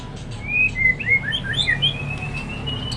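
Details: White-rumped shama singing to stimulate other shamas: a run of rapid whistled notes that jump up and down in pitch, then one long level whistle, with constant low hum beneath.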